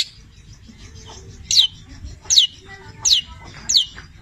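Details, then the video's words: Cendet Petir long-tailed shrike delivering mimicry-rich song with labet and canary imitations: four clear, loud, downward-sliding whistles spaced under a second apart, with softer chatter and faint low background noise between them. "Masteran Cendet Petir gacor, Full isian mewah Labet dan kenari"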